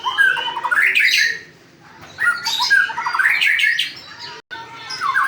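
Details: White-rumped shama in full melodious song: rich, varied phrases of rising whistles and rapid chattering notes, split by a short silent gap. Several distinct bursts.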